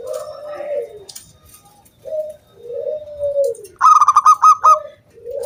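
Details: Zebra dove singing to encourage other doves to sing. Low, soft, drawn-out coos come first, then a loud burst of about eight quick, bright coo notes, followed by more low coos.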